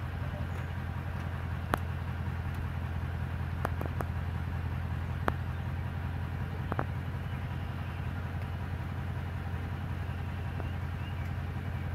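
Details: A steady low engine rumble, like an idling vehicle, runs throughout with a few faint clicks and no animal voice.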